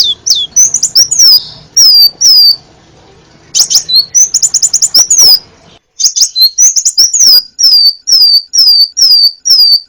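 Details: Crimson sunbird, a varied song recorded for training songbirds: lively mix of downslurred whistles and fast high trills, a brief pause, then a regular series of sharp descending notes.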